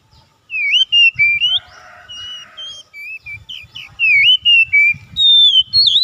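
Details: Oriental magpie-robin, called kacer, in a daily lure recording for a bird slow to sing: repeated loud, curling whistled phrases in fast series, a short buzzy chatter in the middle, and a faint low rumble throughout.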